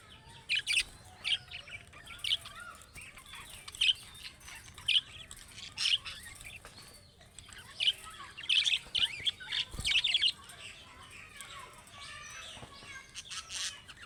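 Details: Budgerigars, Australian parrots; repeated bursts of high, warbling chirps and short squawks roughly every second, with softer chatter between.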